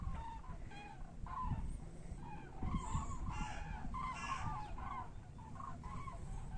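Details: Common cranes continuing their return migration to Europe, calling repeatedly with rough, rattling trumpet notes, many short calls overlapping, against a persistent low background rumble.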